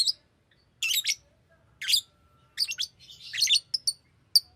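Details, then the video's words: Pet lovebird singing and chirping: harsh, broadband high chirps in short bursts about a second apart, some clustered into rapid trilled runs, with quiet gaps between. "Lovebird singing and chirping sounds"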